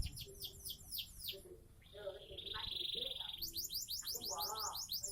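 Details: Caged canary, seven months old, of the Sonji SF line, singing: rapid repeated downward-sweeping notes, a long steady buzzy high tone, then another fast run of sweeping whistles.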